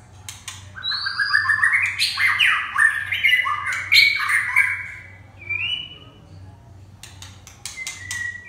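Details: Red-whiskered bulbul delivering a loud, jumbled warble of chattering notes for about four seconds, then a short rising whistle and quieter scattered clicks and whistles, over a steady low hum.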